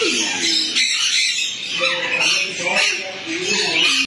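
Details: A hand-reared black-capped lory in a bird store gives harsh, screechy squawks in a continuous burst, mixed with lower speech-like chatter.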